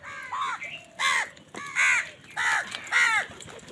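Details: Five loud, hoarse crow caws follow one another roughly every half second, each a short falling note, as many crows compete with wild birds for food in the morning.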